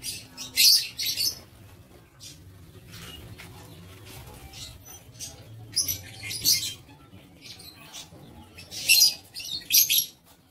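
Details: Aviary lovebirds, 07 April 2023, calling in piercing, raspy bursts: a loud cluster at the start, another midway and two more near the end, with quieter chirps between.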